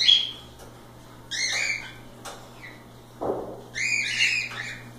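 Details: Loose cockatiels at play produce clear stacked calls in bursts with short pauses, plus a brief thud and faint background hum.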